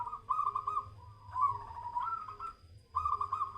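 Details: Zebra dove (perkutut) being tested for mental steadiness. Continuous rolling cooing, a run of rapid pulsed notes that dips slightly, rises again, pauses briefly and then resumes. A faint steady tone and a low hum sit in the background.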